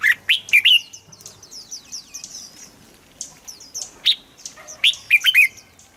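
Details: Song of a red-whiskered bulbul, used for training and stimulating birds: quick rising warbled notes at the start and again near the end, with steady high-pitched chirping of many birds throughout.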